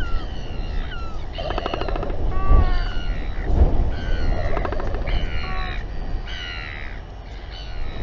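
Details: At a New Zealand nest site at 7:42 pm on 27 January 2021, royal albatrosses fight. Several birds give overlapping harsh, nasal, wavering calls and rapid rattling bursts over steady low wind rumble, while a female defends her nest and chick.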